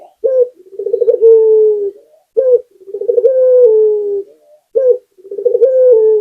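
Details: Local puter, Barbary dove, in lively gacor cooing used to stimulate other doves. Each phrase pairs a sharp opening coo with a bubbling trill that smooths into a lengthy, slowly descending coo; three phrases run back to back.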